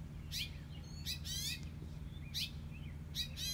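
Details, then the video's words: Male House Finch, reddish breast and throat, gives alarm calls in the morning near his nest on a front-porch column as people walk out: sharp, high chirps in quick bursts, about one a second, over a low rumble. "Male House Finch’s Alarming Calls For The Nearby Nest!"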